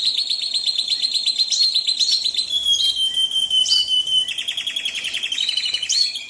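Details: Canary singing in an Indonesian recording for tutoring songbirds: fast, evenly repeated trills of bright notes, broken by a sustained high whistle-like tone, then another quick rolling trill.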